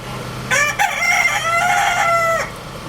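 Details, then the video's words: Rooster, shown with a family, gives one loud, hoarse crow of about two seconds, opening with a sharp rise then holding a strained, slightly falling tone before cutting off. "little rooster Crowing sound effect"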